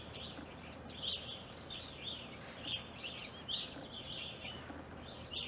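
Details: Backyard flock of evening grosbeaks in Ohio, winter 2020 into April 2021. Short, sharp high chirps come every half second or so, loosely overlapping, over a quiet noisy background.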